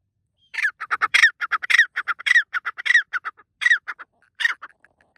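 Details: White partridge calling loudly in a forest in the morning at sunrise: a rapid series of harsh, grating squawks in uneven bursts, several notes with sharp upward sweeps, fading to a few soft notes near the end; no other clear sounds.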